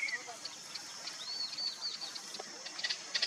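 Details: Chestnut-capped babbler in Maguri Grasslands, Assam, giving thin, high, quiet notes: a brief arched whistle and scattered short ticks over a soft background hiss.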